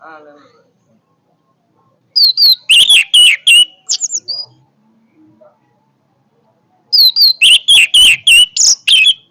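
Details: Orange-headed thrush singing powerfully: two bursts of loud, high, clear whistled notes in quick runs, about eight notes each, separated by a few seconds of quiet with a few softer notes in between.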